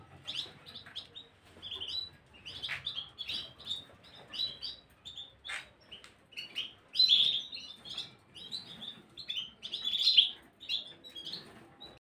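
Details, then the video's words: Gloster canary song recorded 9 January 2023: a long, steady run of high chirps and trilled phrases, mostly even in volume, with two louder rolling trills later on. "Gloster y Más"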